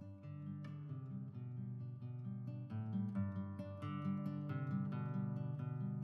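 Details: Acoustic guitar music with steady plucked and strummed chords, and no animal sounds at all.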